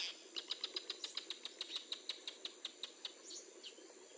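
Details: Wild northern jacana family foraging, with a male brooding chicks and a chick just hatching: a rapid series of hard, evenly spaced clicky notes, roughly five each second, tapering off after three seconds amid faint hiss.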